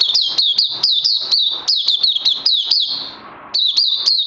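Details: Kept oriental white-eye singing hard, recorded 31 May 2020. Rapid high chirps, each a quick rising-then-falling slur, stream without break, stop briefly for about half a second, then resume.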